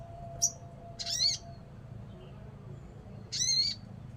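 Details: Crimson sunbird, called sogon by Indonesian bird keepers, giving a single sharp high tick, then two harsh scratchy buzzing notes about two seconds apart, with quiet hum behind.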